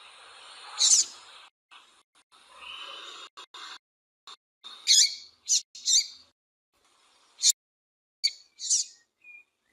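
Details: Female Double-collared seedeater calling, used to excite males for singing tournaments: short, sharp, high chirps given singly and in close pairs at irregular gaps, over a faint hiss and brief bursts of background noise.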